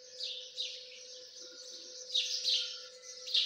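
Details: High-pitched peeping from Dakani teetar partridge chicks, with several chirps overlapping in quick bursts. Louder pulses come near the start and in the final second, over a constant low hum.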